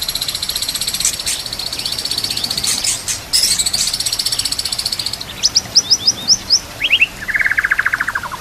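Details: Bird song of a white-rumped shama: a loud hissing, rushing noise fills the first half, then clear high chips and a rapid descending trill of repeated notes emerge.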